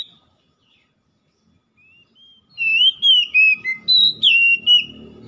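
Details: Oriental magpie-robin song for stimulating a stressed bird that stopped singing: a few soft whistles, then a loud rapid series of slurred whistles rising and falling, over a low murmur of background noise.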